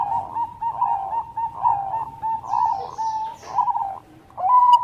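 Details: Bangkok-type zebra dove (perkutut) in full singing form gives repeated rolling coo phrases, each a short burst of throaty notes at a steady mid-low pitch. The phrases come about every second, with brief pauses between them.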